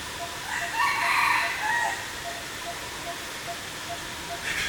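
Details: Chicken recorded with a Sony a7iv camera: one fairly faint crow-like call swelling and falling for about a second, over steady hiss and a soft regular ticking.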